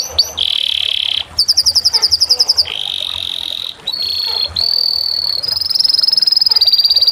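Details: Canary pouring out varied song: buzzy sustained trills alternating with rapid clicking rolls and bright rattling phrases, changing pattern every second or two with almost no pauses.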